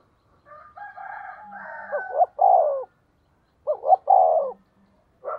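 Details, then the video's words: Decoy spotted dove cooing at a fast pace to lure wild doves into answering. Mellow cooing phrases come in two groups, each closing with a stronger, rounded double coo. "Chim Cu Mồi thúc tốc độ có kèm nghe cực hay, bổi nghe phát gáy luân"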